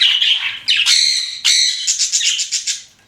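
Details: Pet budgerigars chirping: bright, harsh warbled notes with quick rising and falling sweeps, then a run of short rapid chirps near the end.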